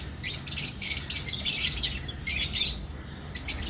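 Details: Captive lovebird colony in Pakistan, albino and personata red-eyed birds kept for breeding: dense clusters of sharp, high-pitched twittering, grouped in loud bursts with brief quieter gaps, against a low background hum.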